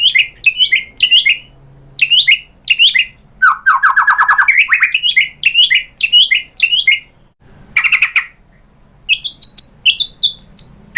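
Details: White-rumped shama song used to provoke another bird into singing: lively groups of sharp, high chirps, buzzy rapid trills, and short rising and falling notes, delivered in repeated bursts.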